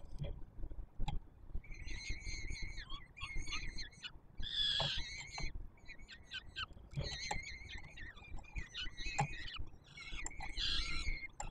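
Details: Hungry peregrine falcon nestlings calling during a feeding by the male at Warsaw's Palace of Culture and Science, Poland, 7 July 2022; bursts of scratchy, whining screams, one sharper peak midway, over faint rumble and taps.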